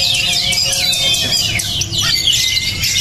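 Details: Kacer, the Oriental magpie-robin, pours out fast high whistles, falling slurs and sharp chirps in a busy unbroken stream over a faint background hum.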